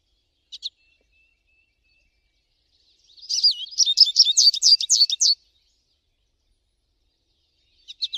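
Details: American goldfinch in song: a couple of short high chips, then a two-second burst of rapid, sweet, wavering twitters that rise and fall, followed by silence and a final pair of chips.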